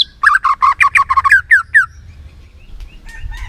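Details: White-rumped shama giving a quick series of about a dozen chattering, downward-slurred notes, then quieter, scattered whistles. Intended to get a lazy bird excited enough to sing.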